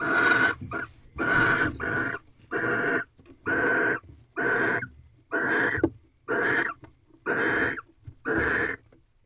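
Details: Barn owls mating inside a nest box at 2:38 am on the 15th night of mating, with one egg already laid; harsh, hissing screeches in about ten broad bursts, roughly one per second, some doubled, over a quiet background.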